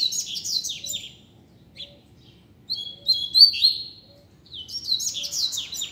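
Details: Teacher double-collared seedeater singing loose in a street: three high, rapid twittering phrases with down-slurred whistles, separated by quiet gaps, a few soft clicks between them.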